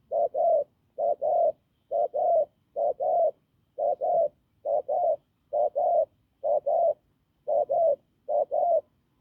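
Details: Spotted dove caught from the wild, cooing hoarsely and firmly. Eleven even couplets of short low hoots follow one another at a steady, almost metronomic pace.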